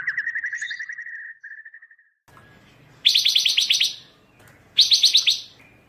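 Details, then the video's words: Pancawarna bird singing actively in a tutoring recording: a fast, even trill of notes for about two seconds, then a pause and two loud bursts of rapid, harsh, buzzy chirps. "Masteran burung pancawarna// gacor super brisik"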